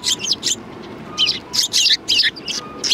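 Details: Sparrows at a Tenmangu shrine, 4 March 2020, give loud, harsh chirps in rapid groups, with faint steady tones sounding in the background.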